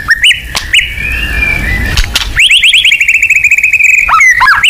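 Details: White-rumped shama in rapid-fire 'nembak' lure song: a few whistled notes and a drawn-out tone, then a long, even, machine-gun series of quick upswept notes lasting about two seconds. The phrase ends in a warble.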